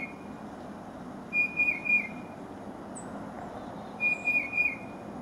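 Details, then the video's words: Gentle song of a tufted titmouse: short whistled phrases of a few rapid, slightly wavering notes, given twice about two and a half seconds apart, with faint high chips and steady low rumble behind. "Who's Song is That?!"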